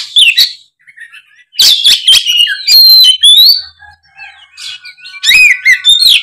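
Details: Oriental magpie-robin singing at full volume as a lure for a drooping speckled bird; varied whistles, squeaky slides and chattering clusters come in three main bursts separated by softer stretches.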